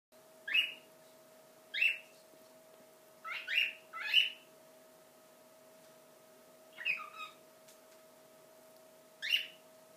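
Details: A pet cockatiel, singing and dancing while playing, gives bright, rising whistled chirps, singly or in quick pairs, over a steady low hum.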